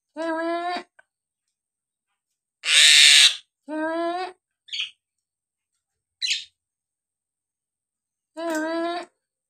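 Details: Nias hill myna sounding off to rouse lazy birds into singing: nasal harmonic calls, one loud rasping screech and short sharp whistles, well spaced with long silent gaps.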